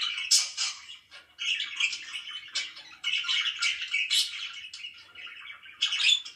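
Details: Pet budgerigars chirping in the morning, a busy stream of scratchy, buzzy warbles and sharp tweets in quick bursts, pausing briefly near one second and three seconds, indoors.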